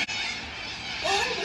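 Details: A huge flock of Sulphur-crested Cockatoos in Melbourne, recorded 2 February 2022, giving a wall of harsh, raspy, continuously overlapping screeches, with a person's voice briefly heard near the end.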